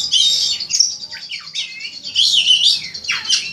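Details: Oriental magpie-robin, a champion poci bird performing ngobra style for a contest master, sings a very high, loud, tumbling series of squeaky whistles, scratchy notes and sharp downslurred calls, nearly continuous.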